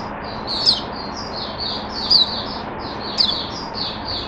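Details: Oriental white-eye singing in a cage on 5 May 2022: a steady stream of high, slurred twitters with three piercing, downward-flicking accents about every one and a half seconds, over faint room noise.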